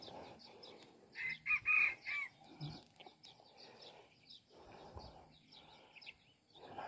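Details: Junglefowl crowing in hot weather in the forest during a junglefowl hunting trip: one short, clipped crow of four or five quick bursts over a steady high insect hum and a faint low rumble.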